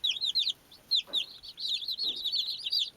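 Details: Playing baby chicks cheep constantly, high sharp peeps chained into a steady run, with soft rustling underneath.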